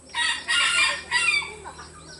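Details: Rooster crowing among several roosters calling back and forth, a loud, melodious call. It comes as two long, harsh, harmonic bursts, then a shorter fading tail.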